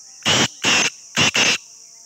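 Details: Black francolin calling. Four harsh, grating notes in two pairs, each about a fifth of a second long, over a steady high insect hum.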